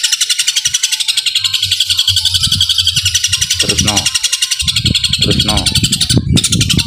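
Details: Fighting-mode long-tailed shrike pouring out a super-long, single-breath song laced with sparrow imitations. Continuous rapid shrill chatter, pulsing steadily, runs over low background rumbles and murmuring, briefly dropping out near the end.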